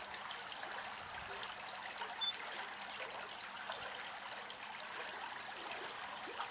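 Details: A female common kingfisher in Greece watches the water for fish. Thin, very high, short piping notes come in irregular clusters over a steady trickle of running water.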